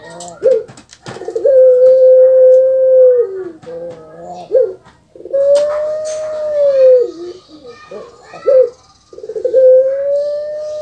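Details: Pet puter pelung dove, well known in Indonesia and especially Java, repeats its call: long level hooting coos of about two seconds, each broken by throaty gurgling, rattling phrases, with faint clicks and small room noises.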